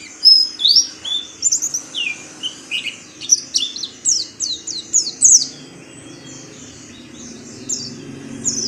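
Oriental white-eye giving a rapid run of thin, high chirps and twitters for about five seconds, then a few scattered notes over a soft background hum.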